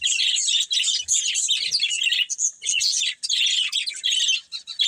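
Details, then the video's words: Budgerigars, a breeding pair, chirping and warbling nonstop in fast, buzzy high-pitched chatter broken by short gaps. "Cute Budgies Chirping Sounds"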